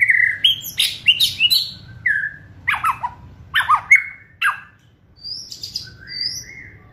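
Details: Kretekan-style singing of a white-rumped shama, meant to provoke other birds and hasten their song: loud varied whistles mixed with sharp squawking notes in short separate phrases, ending in softer rising whistles.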